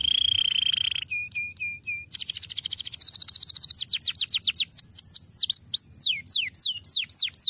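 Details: Canary singing an extraordinary song used as a master recording: a steady whistled tone for a second, three clipped repeated chirps, a rapid buzzy trill, then high downward-sweeping notes repeated about four times a second.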